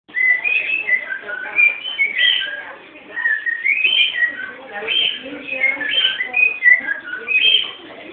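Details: Home-bred cockatiel whistling a continuous, warbling melody of sliding notes that rise and fall, with dense overlapping phrases throughout.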